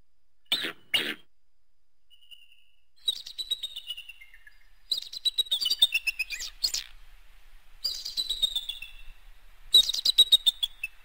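Bald Eagle giving thin, high piping notes in quick chittering series that slide downward. Two sharp clicks open the sequence.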